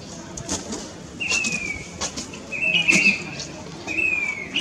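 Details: Grey-bellied cuckoo (Cacomantis passerinus), call.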